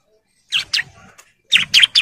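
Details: Male bar-winged prinia in breeding condition calling females: two short bursts of bright, sharp chirped notes, three quick notes each, separated by a brief pause, with nothing else audible.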